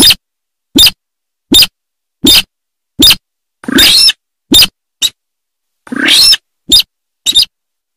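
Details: Sintar sawah, a watercock of rice fields, uttering a steady series of short, sharp clipped notes about every three-quarters of a second, interrupted twice by longer harsh, grating rasps.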